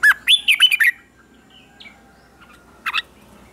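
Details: Red-whiskered bulbul in captivity, morning song practice: a quick phrase of five or six loud warbled notes, a long quiet gap with faint chirps, then a short double note near the end.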